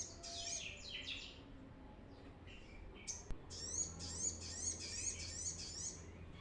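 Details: Brown-throated sunbird singing for use as a bird-training lure: quick descending squeaky notes at first, then after a click a run of high wavering twitters repeated rapidly.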